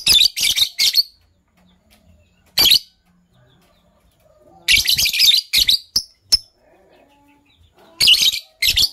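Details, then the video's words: Green Fischer's lovebird pair singing and chirping in the morning: loud, shrill, harsh chattering bursts in dense clusters, separated by quiet pauses and a few short sharp chips. "Green Lovebird Couple Singing & Chirping Voices - Green Fischer Couple"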